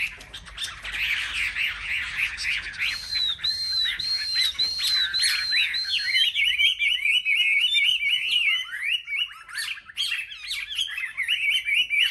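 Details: Chinese hwamei in competitive singing among selected market birds: a fast buzzy trill, then loud ringing arched whistles repeated in a row, followed by rapid varied warbling phrases.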